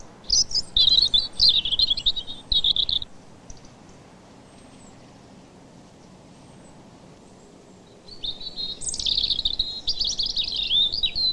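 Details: Neighbouring European robins in a song duel: two bursts of thin, high, warbling phrases with tumbling trills, separated by a five-second pause.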